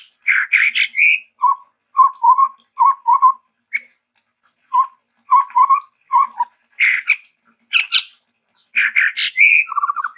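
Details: Chestnut-rumped babbler, endemic to Sumatra, in busy varied song: chattering bursts alternate with repeated low paired whistles, with harsher squeaky notes and a short whistled trill at the end.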